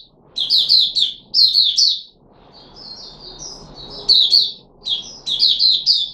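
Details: Caged red-whiskered bulbul known as Puteh Raja, 13 April 2021, during a fruit juice and mealworm experiment: loud chattering whistle groups, a softer run of quiet notes midway, then strong phrases again.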